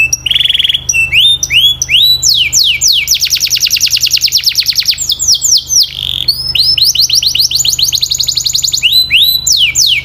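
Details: Canary singing sweet, clear training song: varied phrases of downslurred whistles, a lower pure note, and long fast buzzy trills, broken by short pauses, repeating with changing rhythm across ten seconds.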